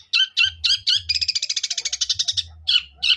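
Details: Long-tailed shrike in fighting song with sparrow mimicry, loud separate squeaky chirps around a fast, even, stuttering rattle, over a low background hum.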